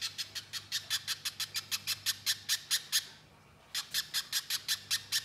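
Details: Little spiderhunter (pijantung pisang) in a masteran training recording, singing in the fast nyerecet chatter style: sharp, clear notes repeated about five per second, a brief pause near three seconds, then the rapid series resumes. A low steady hum runs underneath.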